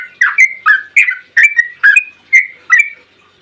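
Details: Yellow-vented bulbul delivering a long rapid 'ropel' song as a lure for other bulbuls: seven or eight loud, slurred, chattering phrases about two per second, each dropping then rising, ending in quiet.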